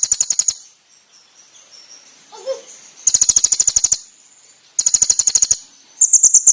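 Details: Konin bird master song used for training other songbirds: bursts of very high, rapid, evenly pulsed trill notes, each burst about a second long, separated by quiet gaps, with a faint low murmur between them.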